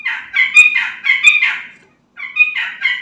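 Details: Sooty-headed bulbul singing energetically, used to draw replies from other bulbuls: rich, warbled, chattering phrases, a short pause, then another bubbling phrase.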